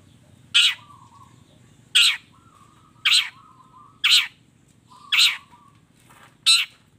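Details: Long-tailed shrike in vigorous song with a full mix of fill phrases, used as a training track for other shrikes. Loud harsh rasping bursts repeat about once a second, each trailed by a lower, flat echoing tone.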